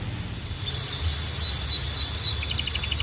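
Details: Belgian canary, said to call other canaries into song, holding a thin steady high tone with a few downward sweeps and a brief soft trill at the end.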